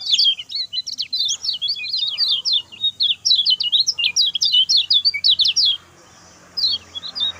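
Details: Lemon-bellied white-eye delivering a short, fast song meant as a training model for other birds. A six-second torrent of high, jumbled chirps and trills, a brief silence, then a few closing notes.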